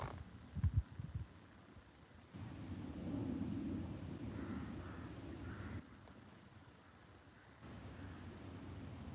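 Low rumbling handling and wind noise with a few thumps, and no animal voice.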